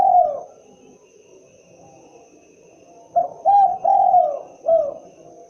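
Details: Mellow call of the tekukur or spotted dove: a trailing falling coo, a pause, then short coos, a long held coo and a downslurred ending note, steady low hiss behind.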